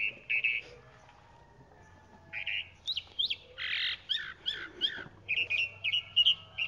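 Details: Mixed chalk-browed mockingbird phrases: buzzy grating notes, quick chip series and harsh squawk-like bursts, separated by a quiet gap, with a low background hum.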